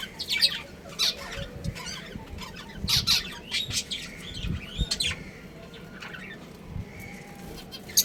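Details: Breeding pair of pet budgies, with scattered high chirps and short squawks at irregular intervals, some rising whistled notes, and soft low thumps underneath.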